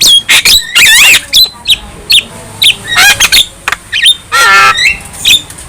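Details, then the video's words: Young Javan myna singing energetically while bobbing its head, a song said to make other birds fierce; a busy jumble of harsh squawks, rising whistles and clicks in quick bursts, with short pauses between phrases. "Kicauan Jalak Kebo Muda Gacor | Manggut-Manggut Bikin Garang Burung Lain"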